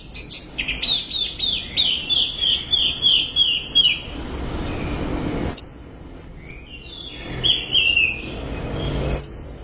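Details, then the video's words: Orange-headed thrush singing loudly, opening with a rapid series of about a dozen repeated descending chirps, then a pause with background hiss before sharp high whistles and twittering resume. "Suara Burung | ANIS Merah Gacor Volume Keras Teler Mantap"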